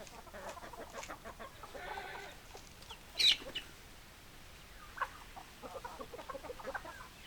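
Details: Chickens clucking softly in a flock, broken by one sharp, loud high squawk about halfway through and a brief louder note shortly after, then low scattered clucks resume.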